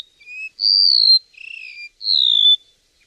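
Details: Three drawn-out clear whistles from a bird, the first and last high and gently falling, the middle lower and wavering, with brief silences between them.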